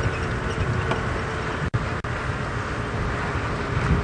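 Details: Broadband engine and vehicle rumble with wind during a sunrise safari drive, with two brief dropouts and no animal calls standing out.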